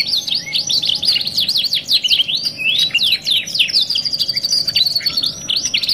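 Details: Canary on a tutor song track mixing two song types, delivering fast zigzag whistled phrases, some rattling chips, and a steady high trill that runs through the latter half.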